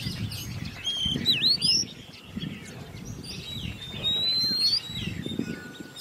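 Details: Caged Oriental magpie-robin, raised by hand and ten months old, singing in competition; a dipping whistle then a long rising whistle, spaced apart, over low rustling.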